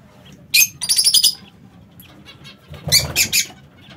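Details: Lovebirds in a home aviary give two short bursts of sharp, shrill chattering squeaks, with soft rustling and quiet stretches between the bursts.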